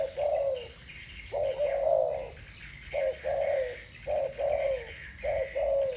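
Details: Spotted doves, two birds in thổ bầu voice answering each other, with deep rounded coos: a long first note, then pairs of a brief note and a drawn-out falling one, with high twitters behind.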